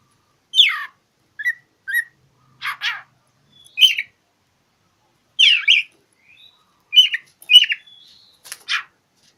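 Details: Oriental magpie-robin singing as if looking for a rival, used to provoke silent birds: spaced bursts of harsh, scratchy chirps and short downslurred whistles, roughly one burst per second, with brief pauses between.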